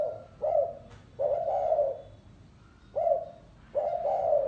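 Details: Spotted dove in the 'lối gáy gù' cooing style. Four low coos mix short clipped notes with longer drawn ones, spaced unevenly over a few seconds. Faint bird chirps sound nearby.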